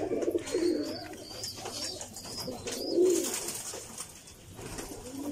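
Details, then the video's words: Pigeons giving soft, rolling coos, a burst at the opening and a rounder coo near three seconds, over a hiss of background noise and faint chirping. "Pigeons sound"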